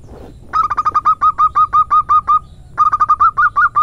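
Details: Female local zebra dove, 'manja' rhythm song used as a lure and tutor: a long run of rapid, evenly spaced cooing pulses, a brief pause, then a second run of about eight notes.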